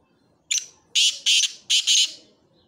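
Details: Black francolin calling: a short harsh opening note, then two pairs of loud grating, broadband notes in quick rhythm, all within under two seconds against a quiet background.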